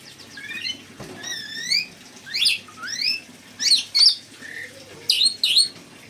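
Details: Red lory, known locally as nuri merah, singing kacer, cucak ijo and murai bird songs: bright, high whistled phrases, rising and falling sweeps and sharp chirps in bursts about every half second, over a faint low background hum.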